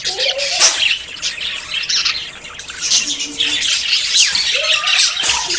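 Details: Courting budgerigars about to breed give busy overlapping warbles and chirps, with a few clearer whistled notes sliding up and down among the scratchy flock chatter.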